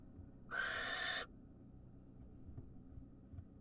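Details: Wild barn owl at feeding time: a single harsh, hissing screech of under a second, then quiet with faint background hum.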